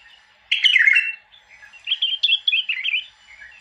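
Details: Bulbul song: a loud, rich warbling burst followed by a run of quick, bubbly whistled notes rising and falling, ending in a softer trailing phrase; quiet surroundings.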